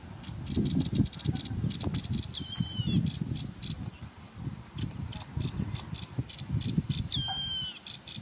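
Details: Yellow-eyed babbler sings two clear whistled phrases, each gliding downward, a few seconds apart. They sit over loud low rumbling and handling noise, with pulsing insect trills and a constant high insect hum behind.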